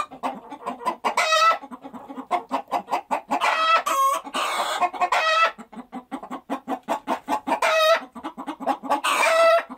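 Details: Flock of hens giving continuous rapid clucks, punctuated by five or six loud, ringing cackle notes and a brief harsh squawk, busy overlapping voices.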